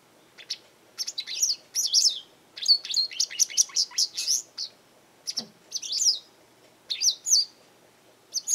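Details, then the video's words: Japanese wagtail calling often in a garden: bursts of sharp, high chirps mixed with buzzy, squeaky notes come in quick runs across eight seconds, with a single soft low thud near the middle. "よく鳴くセグロセキレイ Japanese wagtail"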